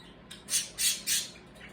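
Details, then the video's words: Noisy birds giving warning squawks: three loud, harsh, broadband bursts in under two seconds, each about a fifth of a second long, over quiet room hum. "Noisy Birds Warning much Squaking and Chirping going on"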